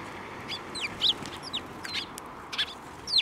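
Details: Sparrows flying in to be fed at a Tenmangu shrine in April, giving short, sharp high chirps and a few thin downslurred notes, scattered irregularly, over a faint steady background hiss.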